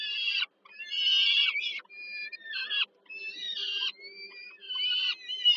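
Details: Young peregrine falcons at a Warsaw nest, Żerań, Poland, begging as the mother feeds them in the evening, 15 July 2022: loud rasping, wavering screams in long bursts separated by short pauses, over a faint low hum.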